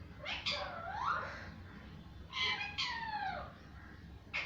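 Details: Parrot making drawn-out nasal, wavering calls with sweeping rising and falling tones, two main bursts with a short call at the end, in a quiet indoor-sounding space.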